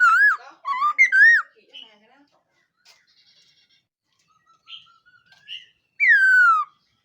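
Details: Black-throated laughingthrush training its voice in the morning: warbling curled whistles at first, soft scattered notes, then a long loud downward-gliding whistle.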